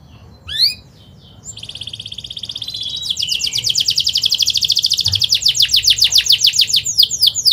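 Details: Canary song used as a teaching lure: a few upswept chirps, a sustained buzzy trill, then an accelerating, rolling series of high notes growing louder.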